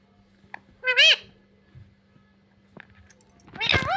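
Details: Talking parrot saying "mummy papa", heard as one bright, wavering syllable near the start and a louder, rougher, noisier burst at the end, with low background hum between.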